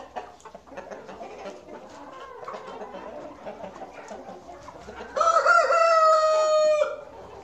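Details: Chickens on a farm, recorded on a quick tour: steady low clucking from the flock, then a loud rooster crow begins about five seconds in and holds an even, strained tone for nearly two seconds.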